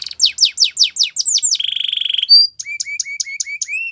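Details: Russian canary training song: evenly spaced falling whistles, a quick buzzy trill, one high piping note, then a series of short rising chirps.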